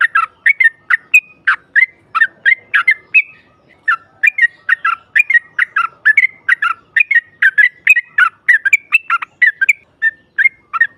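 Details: Female sooty-headed bulbul singing to provoke rival birds: rapid bright chattering notes, short whistled phrases repeated in quick bursts almost every half second, lively and continuous throughout.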